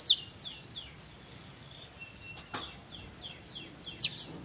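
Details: Sunbird (local name kolibri ninja) in lively song, recorded as training material for other songbirds: a run of thin, high, downward-sliding notes, a brief flat whistle, then sharp high chips near the end over faint background hiss.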